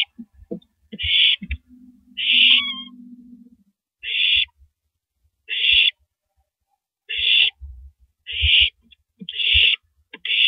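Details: A female owl eating a large rabbit at 3:33 AM, April 9, 2012, gives eight rough hissing bursts at irregular intervals, plus a low buzzy rattle early on and scattered clicks.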